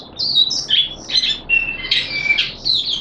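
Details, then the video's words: Captive Malaysian Oriental white-eye (mata puteh) singing openly and happily, February 2023: squeaky, high twitters mixed with thin drawn-out whistles and scratchy notes, delivered in uneven bursts. "Malaysian Mata Puteh Happy Buka Sing"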